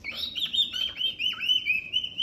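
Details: Pet cockatoo indoors, excited, making a thin high continuous chirping twitter with quick wavering notes lasting over two seconds, with faint room noise.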